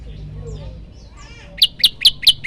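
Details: Quiet, soft chirping gives way to a few loud, sharp high notes from a prenjak lumut singing its forceful 'tembakan' variation, spaced evenly near the end.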